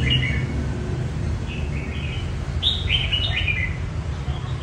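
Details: Red-whiskered bulbul rehearsing song for a singing competition, soft whistled notes at first, then a louder cluster of quick descending whistles near the end, over low rumbling background.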